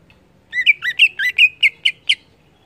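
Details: Greater green leafbird in energetic 'gacor ngeplong' song, delivering a quick series of varied whistled notes that twist up and down, some doubled, eight or so phrases in under two seconds.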